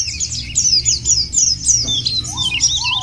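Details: White-eye song used as a lure to make other white-eyes sing, a fast continuous twittering of high, thin, sliding chirps and trills, with a lower whistled phrase near the end over a steady low humming background.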